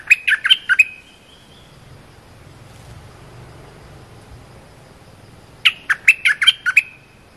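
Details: Cream-vented bulbul giving two short bursts of bubbly, chirping song notes about five seconds apart, with quiet background hiss between phrases; a short song played to teach young or silent birds to sing.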